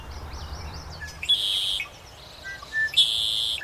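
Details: A Red-winged Blackbird at Somenos Marsh, a wetland in the Cowichan Valley, Vancouver Island, British Columbia, sings twice: short clipped lead-in notes, then a harsh, buzzy, ringing half-second trill. Faint whistles from other birds sound earlier.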